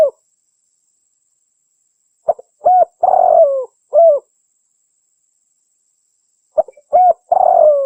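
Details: A spotted dove (Spilopelia chinensis) gives low, hollow coos: two quick short notes, a long rolling coo and a brief final note. The phrase comes twice with quiet between, and is used as a lure call.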